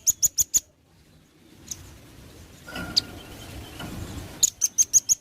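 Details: Velvet-fronted nuthatch song, a master recording for tutoring other birds: a short burst of four sharp high chips, a pause with low background noise and a thin whistle, then another quick run.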